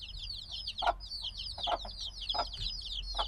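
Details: Black baby chicks hatched days ago chirp continuously, thin high peeps sliding downward and overlapping, with a few soft thumps roughly every three quarters of a second and low rumble beneath.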